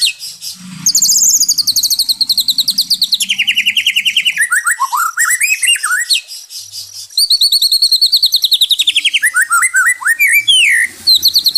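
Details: White-rumped shama in a therapy recording for stressed caged birds: long rapid trills of high notes that slide gradually downward, swooping slurred phrases between, and a faint low hum early on.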